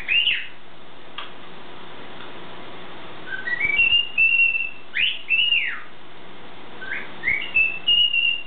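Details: Caged pet bird's morning concert in a small room: bright chirps alternating with series of rising whistled notes that climb in steps, phrases repeated three times with short pauses, over steady low background hum.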